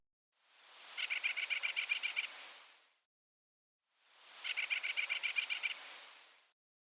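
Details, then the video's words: White-breasted Nuthatch giving its laughing call, a fast even run of about ten nasal notes heard twice, from a smaller pine in ponderosa pine forest on a late October day, amid an active pygmy nuthatch flock near the trailhead. "from a smaller Pine a white breasted nut hatch gave its laughing call"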